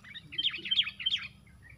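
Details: Sooty-headed bulbul in a four-against-one fight, giving a rapid, scratchy burst of high chattering notes with sharp squeaky peaks, lasting about a second before fading to quiet background hum.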